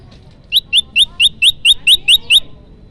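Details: Olive-backed tailorbird song used as a lure for trapping and to prompt singing: nine sharp, bright notes, each rising quickly, given in an even, fast series about four per second over a quiet background.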